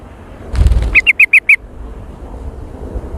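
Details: Sooty-headed bulbul lure call in jontrot style: a low fluttering thump like wingbeats, then five evenly spaced, sharp chirps in quick succession, fading into quiet background noise.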